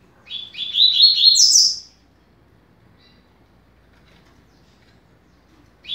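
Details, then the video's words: One brisk, high-pitched phrase of a double-collared seedeater, 'rápido de bico' style meant for teaching young birds, rising through tight chirps to a bright end. Silence follows, and the next phrase begins at the very end. "Canto para Ensinar Passarinho - Coleiro"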